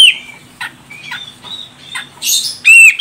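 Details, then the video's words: Calls of a female grey-cheeked bulbul from Medan, Sumatra, used to provoke a male's song: short whistled slurs and soft ticks, then a loud harsh burst and a strong whistled note. "Cucak Jenggot Medan Betina Ini Bikin CJM Jantan langsung Koar Koar"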